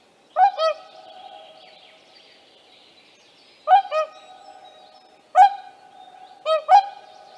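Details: Trumpeting calls of wild whooper swans accompanied by young, Tāši, Latvia, mid-May 2024: a paired honk, a long pause, then further double honks close together, each note brassy and resonant, with a soft steady drone underneath.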